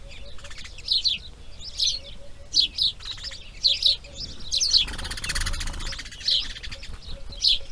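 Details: Newly hatched Grey heron (Ardea cinerea) chicks on day 2 of breeding give short, high, chattering chirps in bursts about once a second, with a gust of wind or rustling midway.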